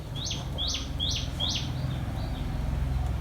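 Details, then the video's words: Common tailorbird, a parent feeding its young: four loud, evenly spaced, high, sharp notes about a third of a second apart, followed by two fainter echoes of the same note. "Chim Mẹ Tha Mồi Về Cho Chim Non - chim chích bông"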